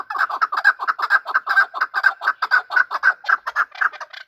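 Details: Hunter chakor, a chukar partridge, fighting and calling; an even, rapid series of loud clucking chuck notes, about three per second, continuing without a break.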